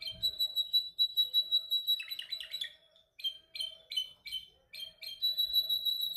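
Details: Male canary singing in training, perfecting its song: a sustained high whistle, a buzzy burst, spaced repeated chirps, then a held bright trill.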